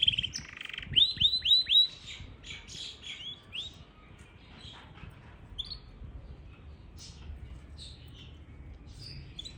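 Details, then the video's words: Yorkshire canary from Parachinar opening with a quick run of bright, high, repeated notes, then sparse faint chirps and whistles over quiet low background noise. "Yarkshiere Canary Singing |Most Powerful Yarkshiere Canary Singing Bird"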